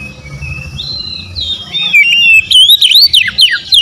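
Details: Oriental magpie-robin song that starts with a thin, steady whistle stepping upward, then swells into loud, varied whistled notes that dip and rise sharply in a fast, irregular run.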